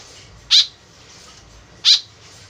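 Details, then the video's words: Lure calls of a white-breasted woodswallow: two brief, harsh, scratchy notes roughly a second and a half apart, loud and high-pitched against faint background hiss. "BURUNG KEKEP BABI GACOR SUARA JADI PIKATAN . SUARA BURUNG KEKEP MENDEKAT"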